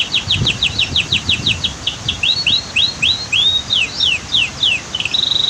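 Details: Canary song beside a noisy waterfall and dam: steady bursts of short downslurred notes, a run of rising whistles, and a closing fast buzzy trill.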